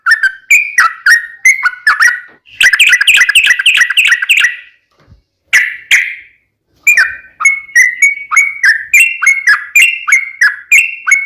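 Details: Yellow-vented bulbul lure song in long rapid style to set other bulbuls singing: quick whistled notes, then a dense buzzy trill of rapid repeated notes, a short pause, one harsh burst, and more rapid whistling.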